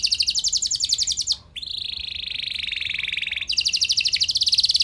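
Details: Domestic canary song used to make other canaries respond: a fast high trill, a short break, then a long lower churring roll of tightly packed notes, and another bright rapid trill.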